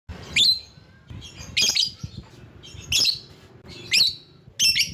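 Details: Lovebird calling to lure other lovebirds: five loud, shrill, harsh shrieks spaced about one second apart, with soft low rumbling noise between them.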